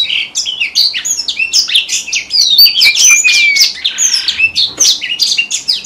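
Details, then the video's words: A red avadavat gives its standard decoy song used in trapping: a dense, high, sweet twittering of quick chirps and thin whistled slurs, some sliding downward, running without pause. "TIẾNG CHIM HOA MAI ĐỎ MỒI CHUẨN"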